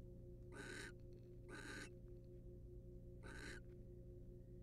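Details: A wild male barn owl preening his mate in a nest box. Three harsh, raspy screeches, the first two close together and the third after a pause, sound over a low steady hum.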